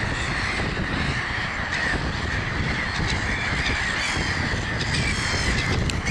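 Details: A crowd of gulls keeps up a steady wall of rough, croaking cries, many birds overlapping so no single call stands apart, with faint clicks and higher squeals scattered through the din.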